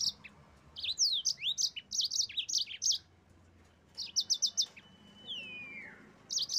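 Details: High, sweeping chirps from a yellow-fronted canary, sung to stir rival birds into singing, run together in quick phrases; after a pause a brief rapid series follows, then a thin whistle slides downward before the song resumes.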